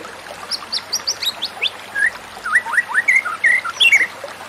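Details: White-rumped shama song played as therapy for a stressed bird that has stopped singing: a string of clear slurred whistles falling from high to mid pitch, then looping rising notes, over steady hiss.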